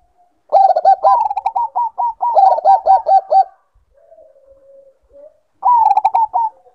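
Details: Bangkok zebra dove cooing, meant to bring birds into breeding condition: a long run of rapid, low, looping notes in two linked phrases, a quiet murmuring pause, then another short stuttered burst.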